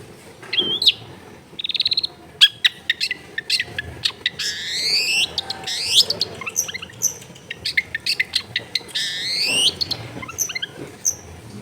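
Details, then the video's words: Long-tailed shrike song, used to train a non-singing caged shrike, recorded at home amid dense housing: a varied run of chirps, buzzy bursts and swift upslurred sweeping notes, with low background noise. "MASTERAN ANTI GAGAL SUARA JERNIH CENDET MACET BIAR CEPAT BUNYI"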